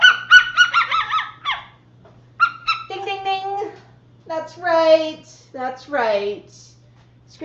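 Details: Pet Moluccan cockatoos in a home, vocalizing: a string of nasal, harmonic squawks and short talking-like phrases, with a steady low hum beneath and pauses between calls.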